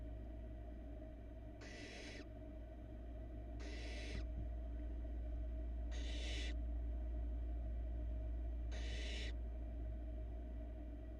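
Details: Barn owl nestling, the youngest of the brood, swallowing a large rat in a Florida nest box; four evenly repeated breathy hisses, one about every two and a half seconds, with steady background hum.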